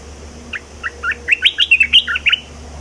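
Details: Caged Red-whiskered bulbul in full song with a new phrase: a lively run of about a dozen short, clipped whistles and chirps, rising and falling, packed into two seconds before stopping, with a faint background hum.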